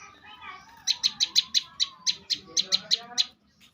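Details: Champion bar-winged prinia giving one quick train of about fifteen sharp, ringing chips, roughly six per second, over faint lower twittering, ending in near silence.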